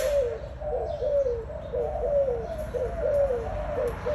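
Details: Spotted dove song: low, mellow coos falling in pitch, repeated about once a second in a steady rhythm over a constant low background hum.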